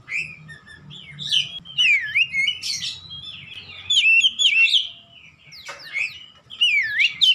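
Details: Song of an Oriental magpie-robin, used to get a quiet bird to sing: loud whistled phrases with deep swooping slurs and sharp upslurred notes in spaced bursts, a low background hum throughout.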